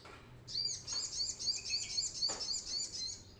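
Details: Brown-throated sunbird song used to lure and train birds: a very high, rapid rattling trill of sharp metallic notes, about four per second, with one brief click partway through.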